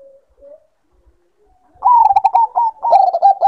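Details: Bangkok zebra dove used to bring birds into breeding condition. Soft isolated low coos are followed by a loud run of quick, rolling, stuttered coo notes that continues to the end.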